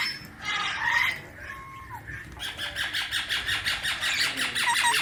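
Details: Indian ringneck parakeet, a baby kept as a pet, gives harsh rapid squawks repeated about three times a second, with buzzy bursts and short whistled notes in between.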